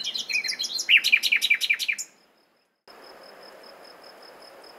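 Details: Common nightingale song: a rapid run of chirping notes, then a loud series of about ten sharp, repeated strokes lasting two seconds, followed by a pause and a faint steady hiss.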